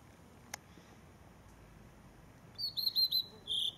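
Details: Blue-and-white flycatcher singing loudly from a treetop in the Zaō ski area, Japan: after a click, a high, clear phrase of quick whistled, warbling notes ending on a held note.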